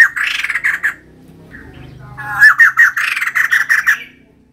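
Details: Female white-crested laughingthrush singing persistently, in two bursts of harsh, rapid chattering notes around a steady mid pitch, separated by a short quiet gap with faint low rumble.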